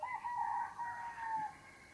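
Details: Rooster crowing at dawn in Namje Village, Dhankuta, recorded on a Sony camera. A mid-pitched, slightly wavering crow lasts about one and a half seconds over faint background hiss.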